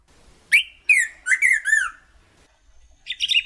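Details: Golden-billed saltator: a sharp upward whistle followed by a string of smooth falling and arched whistled notes, then a softer buzzy twitter in the background.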